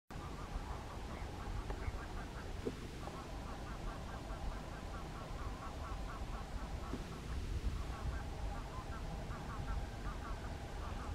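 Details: American flamingos (Phoenicopterus ruber) at a lagoon fish farm on 12 March 2022 keep up a steady, overlapping gabble of nasal, goose-like honks in quick bursts over a low rumble of wind or distant traffic.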